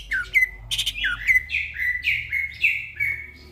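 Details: Greater green leafbird singing energetically (gacor) in the middle of the night: a lively run of clear, downward-slurred whistled notes about every half second, opened by a few sharp chirps, over a faint low hum.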